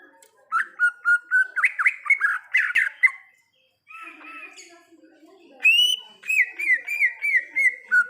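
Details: Greater green leafbird singing in the wild: a fast chain of varied slurred whistles, a brief silence and soft chatter, then a loud bright note followed by descending repeated whistles.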